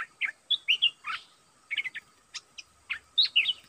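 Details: Red-eyed bulbul kept as a decoy to call in wild birds. Choppy, bubbly whistled notes come in short clusters over a faint steady hum.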